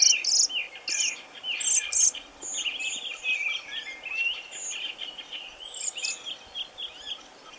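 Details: A European robin being freed from a Japanese mist net at a bird-ringing station on Lake Ladoga gives thin, high calls: sharp ticking bursts in the first two seconds, then softer warbling notes, over a faint insect hum.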